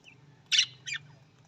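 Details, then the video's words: Budgerigar call: two harsh, scratchy squawk-like notes about a third of a second apart, the first louder, over a faint low hum. "Australian Budgies parrot voice Australian parrot voice"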